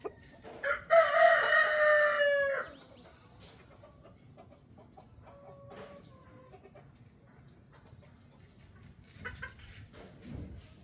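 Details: A rooster's crow: a loud, harsh, sustained call of nearly two seconds that ends abruptly. Quieter, scattered clucks and short tonal notes follow over a faint background.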